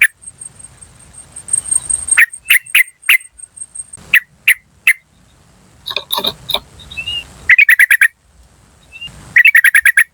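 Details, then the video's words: Yellow-vented bulbul lure recording from the wild, calling 'cuk cuk cuk': loud clipped chips singly and in fast runs of five or six, with short harsh chatter and a steady high hiss in the background. "PANCINGAN TRUCUKAN BAHAN Asli Suara Alam Liar CUK CUK CUK memanggil"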